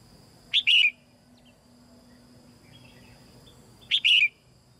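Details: Female red-whiskered bulbul in a cage, singing to coax newly grown birds into song; two identical bright phrases about three seconds apart, each a quick upward chirp then a longer warbled note.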